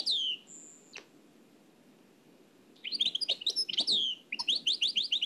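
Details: Nightingale, Oued El Alleug singing style, dubbed from an old cassette. A falling slur and a long, pure high whistle, then near silence, then a burst of sharp chips and a string of rapid downward-sweeping notes.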